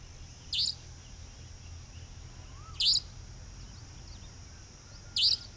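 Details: Evening at Dharmpura near Khandela in Sikar, Rajasthan, India: a Savanna nightjar gives its sharp, high-pitched 'dheet' three times, about every two and a half seconds, against quiet rural background hiss and low hum.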